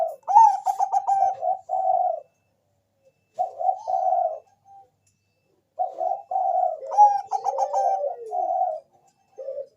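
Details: Lure song from a Bangkok zebra dove meant to start other doves singing: two phrases, each opening with a fast stuttering trill of pulsed coos followed by smooth held coos, separated by silence.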